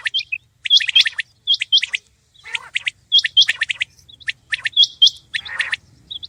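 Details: Common quail (batair) calling: clipped, bright notes grouped into short, fast bursts. The bursts repeat about every second with brief gaps, several callers overlap, and a soft low rumble runs in the background.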